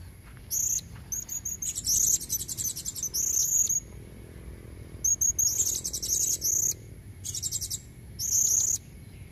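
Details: Female blue-crowned hanging parrot calling to attract males, from the wild: sharp, piercing squeaky trills in clusters, several bursts in quick succession, with brief silences between.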